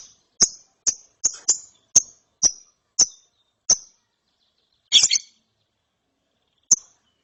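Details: ['Young lovebird after therapy, ngeriwik chirping: evenly spaced sharp high ticks about every half second, then one louder harsh doubled burst and a last lone chirp after a pause.']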